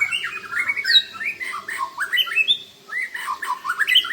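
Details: Dueling white-rumped shamas show off lavish fill-in song: quick varied whistled phrases that rise and fall, with warbled slurs and a brief pause before a renewed chattering burst.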